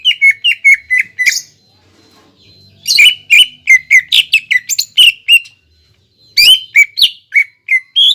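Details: Greater green leafbird song used as a lure to stimulate other leafbirds to sing: quick bursts of sharp whistled chirps, some dropping in pitch, in rapid runs separated by short pauses.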